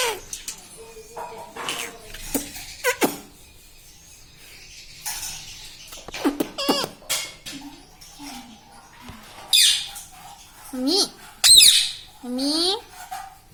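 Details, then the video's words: Pet parrot talking indoors in a small room: scattered harmonic, word-like utterances with rising and bending tones, then louder rasping squawks and quick upward sweeps toward the end, separated by quiet gaps. "bolne vala parrot || parrot talking everything"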